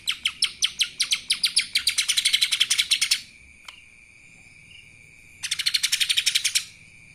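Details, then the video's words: A lesser green leafbird imitates kapas tembak. Rapid high chirps accelerate into a thick, buzzy rattle lasting about three seconds, then pause with a single click, and another quick rattling burst follows. "CUCAK ijo mini Fulll suara KAPAS TEMBAK...!"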